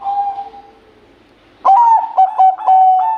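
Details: Zebra dove of the Bangkok type singing actively with a big, melodious voice: the fading tail of one cooing phrase, a short pause, then a new phrase of stuttered, bubbling notes running into a steady mid-pitched coo.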